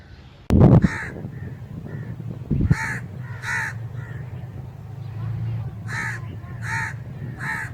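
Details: Repeated crow caws, short raspy notes in loose groups: three around the start, then a spaced series of three near the end. A sharp thump sounds just before the first caw, over a low rumbling background.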